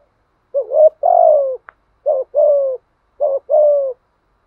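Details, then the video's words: Skilled coo of a spotted dove, said to provoke timid wild doves into calling back. Three clear low phrases, each a brief rising lead note and a longer sliding-down coo, roughly one second apart. "chim cu gáy bài bản thúc gù bổi nhát mấy nghe cung phải gáy theo"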